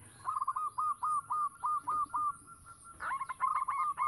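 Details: Active local zebra dove whose song serves as a lure for other doves. Steady repeated cooing notes run on for a few seconds, then break into a faster, trilled rolling phrase.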